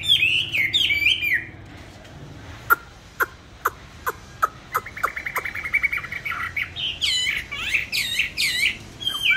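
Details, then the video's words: Songbird kept in a cage on steady feed, bought 19 May 2020, gives bursts of bright warbled whistles at the start and end, separated by a series of sharp tapping clicks. "cám ổn định hót mọi địa hình ,mọi giờ giấc"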